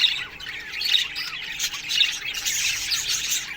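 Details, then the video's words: Budgerigars in an aviary colony in the morning, producing a steady wash of twittering and scratchy squawks with occasional sharper high notes, over a low hum. "Budgies Morning Chirping Sounds"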